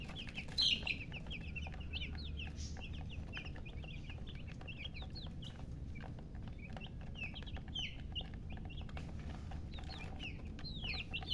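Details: Baby chicks chirping: many high, short, downslurred peeps overlapping in a busy, continuous chorus over low background hum.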